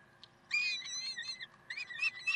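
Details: Peregrine falcons in Karlsruhe on 30 May 2010 at 7:27, heard in a brief stretch of wavering, harmonic screeching calls, first sustained and then broken into short rising notes, with light background hiss.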